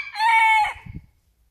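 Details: A gold-porcelain booted bantam rooster crows: a short, high, strained crow held steady for about half a second, then trailing off into a few soft low clucks.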